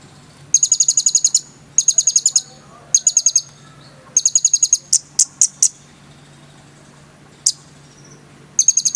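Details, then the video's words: A konin sunbird sings lively, full phrases. Short bursts of rapid, very high, rattling ticks are separated by pauses. Brief loud chips follow, over a faint constant low hum. "SUARA BURUNG KONIN GACOR FULL NEMBAK ISIAN MEWAH"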